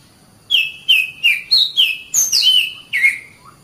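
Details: Oriental magpie-robin singing, recorded to train caged birds: a run of short, sweet, downslurred whistles, each note repeated at a brisk pace, then a higher squeaky phrase and a final slurred whistle.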